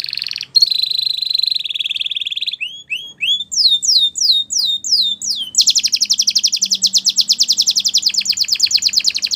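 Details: Belgian canary singing as a tutor for young canaries: a sustained whistled trill near the top, then rapid falling slurred notes, ending in a fast buzzy rolling trill repeated about three times a second.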